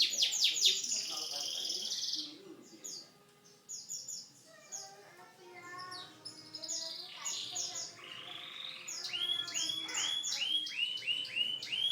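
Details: Loud canary song mixing fast buzzy trills, lower chattering notes and a run of repeated sweeping whistles toward the end.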